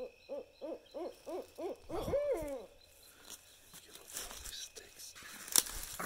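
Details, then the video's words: Barred owl at night in woods of central Texas east of Austin, one of a pair answering playback: six quick evenly spaced hoots climbing into a loud wavering, falling hoo-aaw, then rustling and a sharp knock. "Barred Owl Calls"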